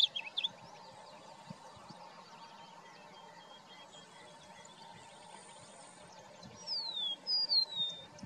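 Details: A singing male Blue Grosbeak gives a short chirp, then a brief, high warbled phrase of quick down-slurred notes near the end, over a steady background hum.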